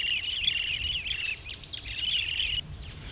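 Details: In Kenya, a superb starling keeps up a continuous, harsh, rattling twitter with squeaky whistles woven through it, then goes quiet near the end. Steady wind roars underneath.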